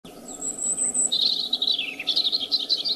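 A robin sings: a thin, very high drawn-out note, then quick tinkling, warbled phrases that dip and rise, over a soft low background hum.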